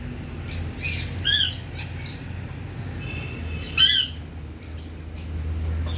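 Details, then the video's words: Pet ringneck parrot, a rose-ringed parakeet, letting out two sharp harsh squawks about two and a half seconds apart, with faint chirps between them over a steady low background hum. "Ringneck Talking Parrot"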